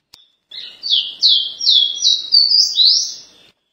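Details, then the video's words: A caboclinho delivers a paraense song: about six clear, high whistled notes, each swooping downward, strung evenly over three seconds in one smooth phrase, with a quiet background. "CABOCLINHO LINDO - PARAENSE"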